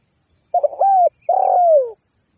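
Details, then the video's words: Spotted dove, original voice used as a lure call for trapping: two cooing phrases around half a second apart, the first broken and stuttering, the second a longer smooth coo sliding downward; a steady high electronic tone runs throughout. "pikat tekukur ‼️ suara asli burung tekukur cocok dijadikan suara pikat"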